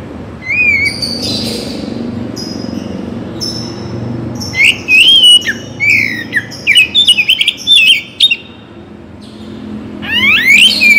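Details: Oriental magpie-robin (Bagong type), morning and evening singing meant to energise other songbirds. A soft, quiet opening gives way to a rapid run of sharp whistled and chattering notes, then a fast rising sweep at the end.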